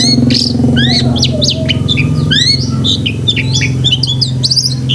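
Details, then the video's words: Long-tailed shrike pouring out a busy song stuffed with mimicked calls, intended as training for pet shrikes; quick rising and falling slurred whistles and sharp chips in dense succession, a steady low hum beneath. "BURUNG CENDET GACOR ISIAN SEKEBUN"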